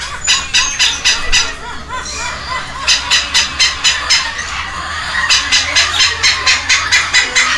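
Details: Begging from two hand-fed baby red-lored amazon chicks at a Costa Rican rescue ranch in Heredia Province, May 2022. Rapid trains of scratchy, buzzy pulses run almost nonstop, with a brief smoother rasp partway through.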